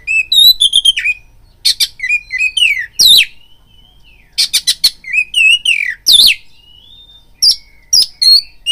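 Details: Oriental magpie-robin lure song for stirring fighting spirit: fast bright whistled runs, loud harsh rasping notes, long thin slurred whistles, and spaced sharp calls through the stretch.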